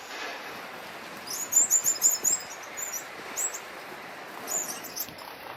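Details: Orange-breasted sunbird (Anthobaphes violacea), call.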